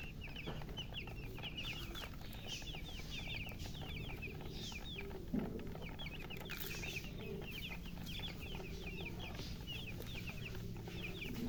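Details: A group of thirsty baby chickens chirp for water: steady stream of short, high, descending peeps from several chicks, somewhat softer, over a constant low rumble and a single sharp knock midway.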